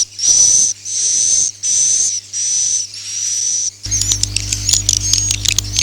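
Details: Swiftlet sound of the Akau ngaji style: five long, breathy, high whistles, then an abrupt switch to rapid, high, crackling chirps over a low hum.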